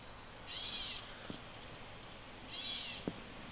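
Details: A gray catbird calls in the background during hornet nest removal, giving two harsh, cat-like mewing calls about two seconds apart, with a couple of sharp clicks of nearby handling in between.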